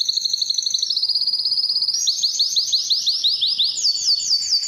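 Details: Canary singing to attract females for mating, a loud continuous song of rapid trilled phrases, first a fast high rattle, then rising sweeping notes repeated several times per second, shifting to higher rolled trills near the end.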